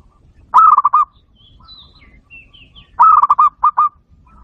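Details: Bato bato, the zebra dove, calling as a trapping lure: two rattling phrases of quick cooing notes, the second stretched by extra notes at its end, with soft high chirps of another bird between them.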